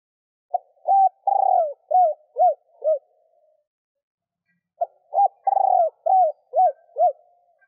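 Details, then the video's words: Two cooing phrases from a female spotted dove calling males, each a quick run of soft hoots with one drawn-out, vibrating note, with nearly two seconds of silence between them. "Tiếng Cu mái gáy hay kích trống mới nhất"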